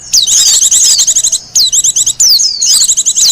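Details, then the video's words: Wild Japanese white-eye giving three quick bursts of high, thin, fast-trilled song with swooping whistled notes, a recording intended for luring birds and teaching song. "Suara burung pleci liar,cocok buat pikat dan masteran."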